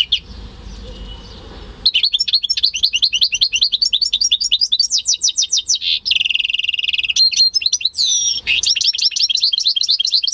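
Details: Home-bred European goldfinch × canary hybrid singing indoors, recorded in May 2015: after a quiet start, a loud, continuous run of rapid high twittering notes, a steady buzzy trill near the middle, and a sweeping whistled note before more fast chatter.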